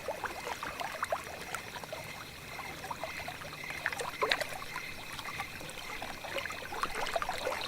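Trickling and pouring water with small splashes runs steadily throughout, with no animal voice.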